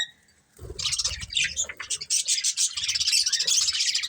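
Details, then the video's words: Two budgerigars, a breeding pair, chattering while they eat: after a brief silence a dense, continuous stream of high, rapid twittering chirps, with faint low knocks at first. "Beautiful Budgies Chirping Sounds"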